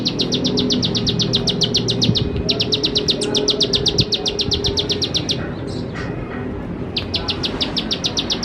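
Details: Bar-winged prinia (ciblek sawah) song used as a lure to teach young birds to sing: rapid trains of sharp, high ticking notes, around eight per second, broken by short pauses and a few brief fainter chirps over steady low hum.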